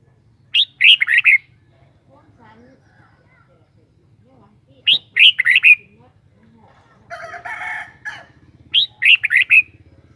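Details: Caged Red-whiskered bulbul repeating the same short whistled phrase of four or five quick notes three times, roughly every four seconds, with a harsh rasping burst between the second and third.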